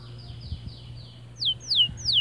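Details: Male white canary singing to encourage other birds: soft, drawn-out falling whistles followed by three loud, sharp downward-sweeping notes, against a low electrical hum.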